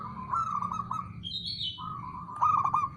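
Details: Male zebra dove giving two bursts of fast, stuttering trilled cooing, separated by a brief higher whistled note from another bird.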